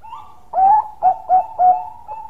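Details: Bangkok-type zebra dove singing a long song: a short lead-in note, then four rolling, throaty coos in quick succession, each about a third of a second apart, over a faint steady tone.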